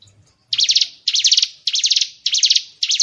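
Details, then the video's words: White-rumped shama training track of harsh, buzzy, rattling bursts, each about a third of a second long, repeated roughly twice a second after a brief quiet start. "Isian tembakan burung murai batu"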